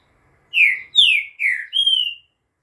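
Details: Green-winged saltator giving its "bom dia seu Chico" song on 11 September, 2:30 pm: four rich whistled notes, the first three sliding downward, the last steadier and higher, in a clean phrase under two seconds.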